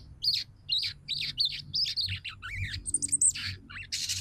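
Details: Female crimson sunbird (sogon) calling the male, used to make males sing and come into breeding condition; a quick series of sharp, high chirps, about two per second, then thinner high notes and a short hissy burst at the end.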